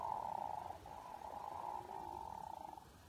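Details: Hooded merganser courtship-display call: a low, rolling, frog-like croak likened to a pickerel frog, a steady purring rattle held for about three seconds with little else heard.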